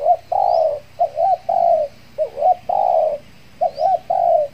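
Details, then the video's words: Decoy spotted dove luring wild doves in Kepri after its moult; close, loud cooing in quick succession, a rolling double note then a longer flat coo, repeated four times, faint high chirps of another bird. "PIKAT TEKUKUR"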